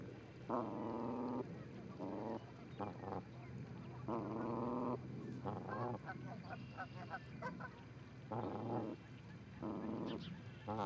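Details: Two Canada geese at the Charlo, Montana osprey nest, 4-7-18, heard through a live nest camera: repeated blaring honks over a steady background hiss, with faint higher bird notes.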